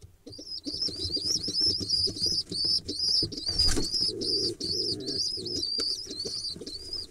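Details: Pigeon nestlings, hatched early October 2021 from a second clutch, excitedly begging while being fed on 15 October 2021: rapid, repeated high wheezy squeaks, several per second, over soft rustling and wing flapping.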